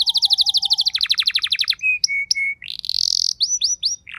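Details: Pet canary at home responding instantly to another singer with a long roll: dense rapid trills of high notes, short steady whistled tones repeated three times, a buzzy rising note and quick upward slurs.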